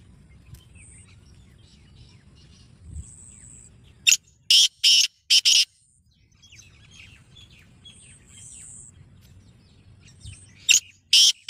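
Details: Black francolin in captivity calling with loud buzzy rasping notes, a group of four rapid bursts then two more later, separated by quiet stretches with faint chirping of other birds.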